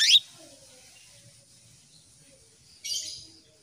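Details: Female canary calling for a male, meant as a lure to make males sing: one sharp upward-sweeping chirp, then near-silence, then a buzzy, noisy call about three seconds later over a faint steady hiss.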